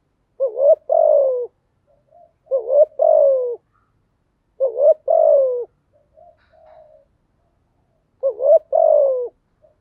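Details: Spotted dove decoy cooing for training newly caught doves: four evenly spaced low phrases about every two and a half seconds, a brief rising note then a drawn-out falling coo, faint soft notes between.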